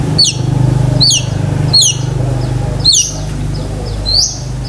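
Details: Long-tailed shrike, 'gacor isian' singing used to train pet shrikes: crisp downward-slurred chirps spaced about every 0.6 seconds, then a rising whistle, over a steady low engine-like hum.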